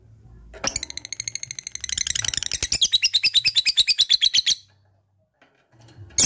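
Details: Lovebird in long ngekek chattering song: after a quiet start, a dense burst of high rasping notes builds into a rhythmic string of about thirteen harsh pulses, stops abruptly near four and a half seconds, then one sharp note.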